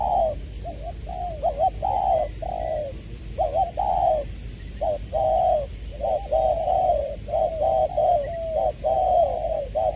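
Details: Decoy spotted dove from Tra Vinh, Vietnam, giving a long run of soft mellow coos, short and drawn-out notes alternating in a rolling rhythm with brief pauses between phrases, the bird alone and close.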